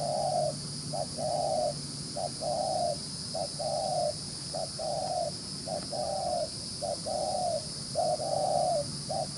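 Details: Rapid cooing from a wild-caught spotted dove: low, mellow coo phrases repeat steadily, each a brief clipped note and then a longer rounded coo, about once per second over a background hum.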